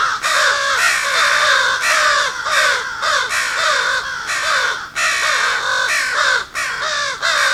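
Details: Several crows caw harshly and continuously near a home, overlapping in rapid, grating bursts with an agitated, angry, not-calm tone; no other sounds stand out.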